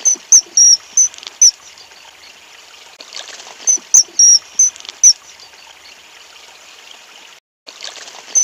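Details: At a Common kingfisher nest where the young are being fed, shrill, very high piping notes come in quick bursts of five or six, a pause, then another burst, over a steady watery hiss.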